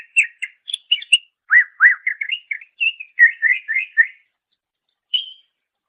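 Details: Cucak ijo, greater green leafbird, singing for songbird training: a fast string of varied whistled and chattering notes with swooping downslurs, ending in a pause and one high whistle; no background noise.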